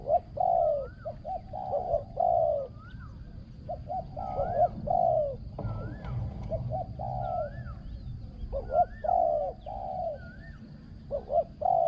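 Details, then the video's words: Spotted dove in a decoy-trapping session, prized for its ringing voice and phrasing; steady rounds of short coos and longer falling coos, with repeated upslurred whistles from another bird above them. "ต่อนกเขาใหญ่ | เสียงเล็กก้อง คารม หนุนคู คูดีมาก"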